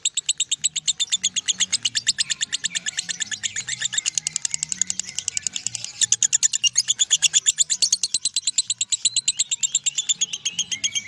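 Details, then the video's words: Lovebird giving its long, unbroken ngekek song, which continues for over a minute: rapid high chattering pulses, about four to five a second, kept up steadily with barely a pause. "LOVEBIRD NGEKEK 1 MENIT LEBIH"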